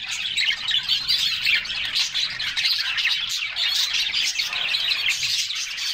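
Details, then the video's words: A group of canaries enjoying a summer bath, filling the air with a constant high chatter of chirps, twitters and quick trilled phrases from several birds at once. "Summer Serenade: Canaries Singing and Splashing in a Refreshing Bath"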